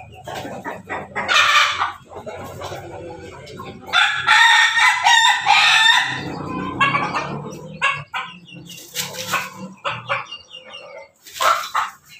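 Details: A flock of pelung and Bangkok crossbred chickens gathered for morning feeding cluck and call over one another in busy, overlapping bursts.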